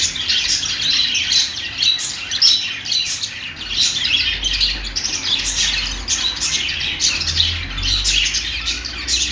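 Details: Parakeet chirping sounds from Australian parrots: a long, unbroken stream of scratchy warbles, clicks and squawky notes from a group, pulsing in short bursts, with a low rumble in the background.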